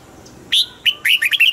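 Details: Brief, lively phrase from a caged red-whiskered bulbul: a bright opening whistle, then a rapid tumble of slurred, chirpy whistled notes.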